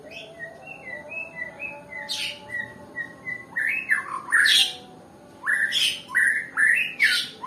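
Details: White-rumped shama of the Nias type, a bird described as lazy to sing, gives a series of short level whistled notes, then harsh rasping squawks mixed with rising and falling slurred whistles in irregular bursts.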